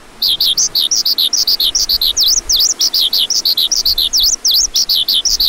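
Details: Continuous lark warble of high chirps and steep V-shaped whistled notes, the same swooping figure recurring several times within a lively, even-paced stream.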